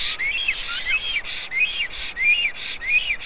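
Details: Black storks at their nest in Karula National Park, southern Estonia, 2021: a series of thin, downslurred whistles repeated about every half second, over a steady background hiss.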